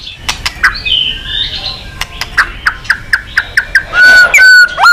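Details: White-rumped shama singing actively, used as therapy song to stimulate other birds to sing: sharp clicks repeated rapidly alongside rising and falling whistles, ending in long clear level whistled notes.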